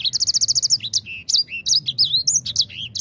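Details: Grey singing finch lure song starting with a fast, evenly spaced trill of about a dozen high notes, followed by varied whistled swoops and slurs.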